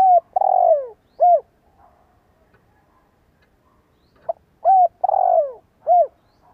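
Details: Spotted dove lure call, meant to set listening birds and young birds cooing. Two cooing bouts about four seconds apart, each a short note, a long drawn falling coo and a final rounded coo, in a quiet setting.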